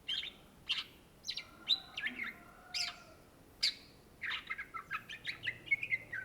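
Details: Greater green leafbird (cucak ijo) of Indonesia singing lively: spaced harsh chips and whistles, then a quicker rush of chattering notes ending in a level whistled phrase.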